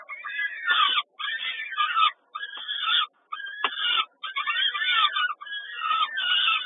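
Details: Peregrine falcon during a feeding at Kawęczyn on 10 May 2022: harsh grating screams in bursts of about a second, separated by short silences, roughly six bursts, rough and noisy in texture.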